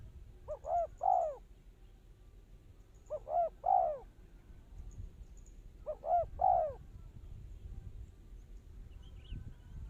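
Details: Spotted dove kept as a trapping lure repeats its cooing phrase three times, about every two and a half seconds: two or three quick soft notes, then a longer falling coo, over a steady low hiss.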